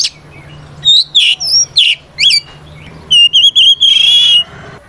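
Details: Oriental magpie-robin in full fighting song meant to call a rival, sung to stir other magpie-robins to answer; clear whistled slurs and quick harsh notes, ending in a rapid run of warbled trills, over a faint low hum.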